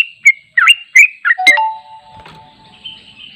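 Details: Sooty-headed bulbul in a long song for training: a few bubbly whistled notes in quick succession, then the phrase breaks off into faint noise and a thin, level whistle at the end.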